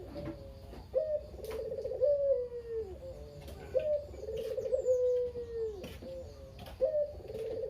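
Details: Repeated kugeru coos from a very talkative caged local Barbary dove, about one every two to three seconds: each a crisp opening note and a rolling, downward-sliding purr, with faint chirps of other birds higher up. Used to lure other doves into cooing.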